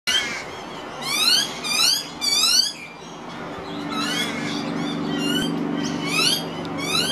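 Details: Juvenile pied butcherbird, one of two, being fed minced beef by an adult on a veranda, dated 251215: bursts of squeaky, rapidly repeated rising harmonic notes in two clusters, over a steady low hum.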